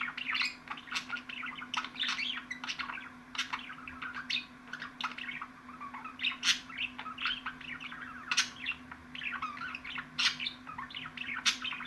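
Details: Budgerigar giving a long, dense warble: fast chirps, squeaky notes and sharp clicks packed closely over twelve seconds, with a low mains-like hum throughout.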